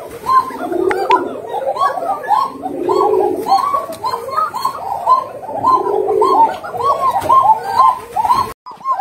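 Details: Koka pigeons at one of Bangladesh's largest Koka pigeon farms. Low, rolling coos swell and fade in waves over a dense background of many pigeons calling together.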